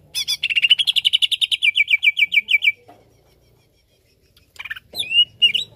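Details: Greater green leafbird song, used to fire up other leafbirds: a rapid run of about twenty-five bright clipped notes lasting nearly three seconds, a pause, then a few squeaky whistled phrases.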